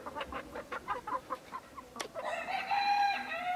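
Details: Partridge Araucana chickens clucking in a quick irregular series of short notes, then one sharp click and a sustained harmonic crow that holds steady to the end.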